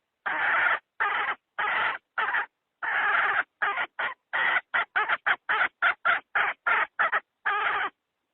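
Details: Hen decoy call, 2020, meant to attract wild chickens into traps: a run of around twenty gritty clucks, starting spaced and long, then quickening into short, clipped notes.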